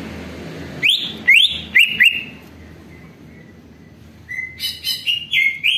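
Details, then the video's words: Greater green leafbird song used as a lure to make other leafbirds answer and sing: loud whistled phrases, sharply rising notes repeated about twice a second, then a pause and a second burst of clear warbled whistles. "CUCAK IJO DI JAMIN BUNYI DAN LANGSUNG NYAUT"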